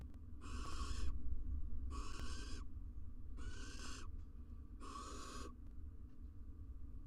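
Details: Barn owl pair at a nest box in Israel, the female incubating six eggs: rough, wheezy hiss-like screeches in four bursts roughly a second apart, then quiet, with a constant low rumble.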